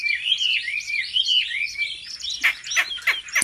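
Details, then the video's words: Caged Chinese hwamei in competitive singing: smooth, rolling, wavering whistles, then sharp, explosive notes repeated near the end. "Họa mi hót đấu cực hay | Luyện chim họa mi tại nhà"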